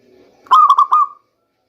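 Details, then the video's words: Local zebra dove, lure sound for the rainy season: a single phrase of four quick notes blending into a smooth level coo about 0.7 seconds long, faint low hum beforehand. "Bunyi perkutut lokal terbaik untuk pancingan di musim hujan"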